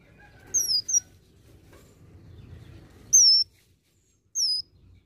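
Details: High, thin, whistled down-slurred notes from an olive-backed sunbird singing a lively imitation-rich song, given singly or in pairs with gaps of over a second, against quiet low rumble.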